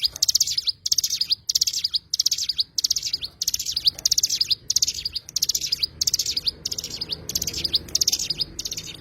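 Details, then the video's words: Oriental white-eye, local name cigun: a rhythmic run of shrill chattering bursts, each a quick flurry of high notes with a brief falling slur at the end, with a faint low hum behind. "burung cigun"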